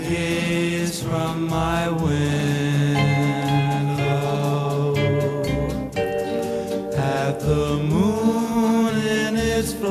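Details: Slow chanted vocal music with sustained low droning tones and layered harmonies, no animal sound heard.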